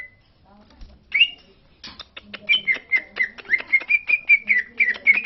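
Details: Green leafbird from Lombok, used to provoke other leafbirds into singing: a brief high note, then a steady run of clear whistled notes repeated about four times a second, mixed with sharp clicks.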